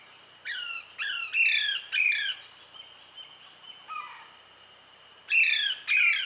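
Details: Parrot mother feeding her chick, with harsh high squawking notes given singly and in pairs, roughly every half second to second, a quieter lower squeal midway and a steady high buzzing background.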